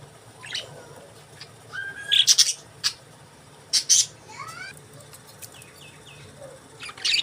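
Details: Budgerigars chirping: scattered bright, high chirps and short rising whistles come in bursts with quiet gaps between them, against a faint low hum.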